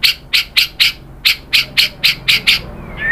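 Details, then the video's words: White-rumped shama (murai batu), sound used to provoke other birds to sing: a steady series of about ten harsh, scratchy chack notes spaced roughly a quarter second apart, ending in a faint thin whistle. "PANCINGAN MURAI BATU GACOR bikin EMOSI jadi NYAUT BONGKAR MATERI ISIAN ¦ SHAMA BIRD"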